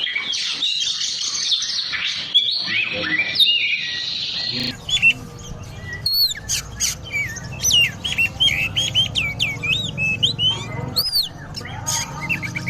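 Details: Kacer (Oriental magpie-robin) song for training other birds; a dense high warbling stream gives way to separate sharp whistled notes and sweeping chirps over a low background rumble.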